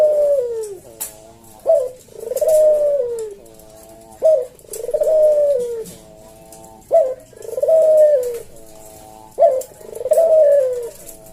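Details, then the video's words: Slow 'senggang' kuk-deruk cooing from a caged Javan puter collared dove, meant as a tutor and lure recording. A steady cycle repeats about every two and a half seconds: a sharp short note, a long sliding coo, then soft humming. "Burung puter jawa kuk deruk manggung merdu suara SLOW SENGGANG"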